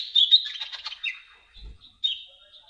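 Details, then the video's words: Olive-backed sunbird (kolibri ninja) tutor song: a burst of rapid scratchy twittering, a soft low thump in the middle, then a sharp whistled chip and a fading thin note. "MASTERAN KICAUN KONIN KOLIBRI NINJA"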